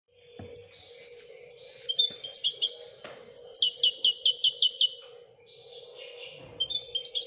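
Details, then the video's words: Moroccan European goldfinch singing in the Wedania song style: short high whistles, then rapid rattling trills of repeated notes in bursts of one to two seconds, over a faint steady low hum. "الحسون المراكشي لغة الويدانية"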